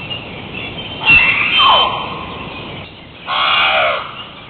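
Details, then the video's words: Hawaiian crow, a species extinct in the wild, giving two loud, harsh, drawn-out caws about two seconds apart, each with a falling tonal element, over a quiet background hiss. "Hawaiian Crow (Corvus hawaiiensis) Call"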